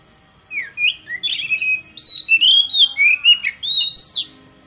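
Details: Lure song of an Oriental magpie-robin (kacer), played to provoke other magpie-robins into full song: a continuous four-second string of sweet whistles, quick trills and sharp upward-sliding notes, bright and varied.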